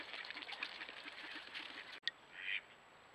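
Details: Flock of wintering Mallards roosting on Lake Superior near Duluth Superior, trail cam recording: dense overlapping raspy quacks and chatter for two seconds, a sudden break with a click, then a single harsher burst.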